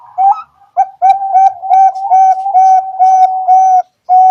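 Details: Actively singing zebra dove, Bangkok or local type, used as a lure for other doves: a rising opening note leads into a long run of rhythmic, even cooing notes at a steady pitch, with brief pauses.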